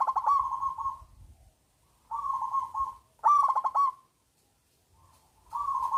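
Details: Local zebra dove, a loud-voiced singer used to lure lazy doves into singing: overlapping runs of pulsing, mellow coo notes and one crisp stuttering phrase, suggesting more than one dove answering.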